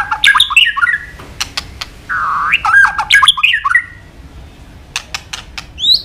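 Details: White-rumped shama training song: warbled whistled phrases, a harsh buzzy swoop, scattered sharp clicks and a high whistle at the end.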